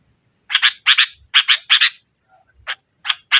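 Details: Lively sooty-headed bulbul pressing a rival, a lure to start a silent bulbul singing: paired rasping, chattering notes in a steady series, a brief pause, then more single harsh notes.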